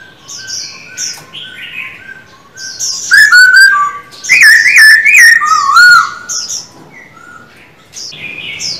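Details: Black-throated laughingthrush in voice training: faint whistles at first, then a louder middle section of warbled, wavering whistled phrases, fading back to soft distant notes.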